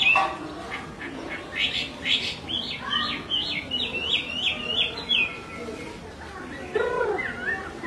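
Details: Chinese hwamei female giving repeated calls that excite a restless male; a string of sharp, slurred whistled notes in quick succession, then a pause and lower chattering notes over steady background hiss.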